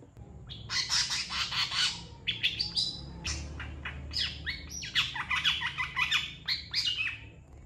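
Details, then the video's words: Long-tailed shrike master song for training other songbirds: dense, fast chattering of scratchy chirps, squeaks and brief downslurred whistles, nearly continuous, with a low background hum. "MASTERAN CENDET GACOR PALING DICARI CENDET MANIA"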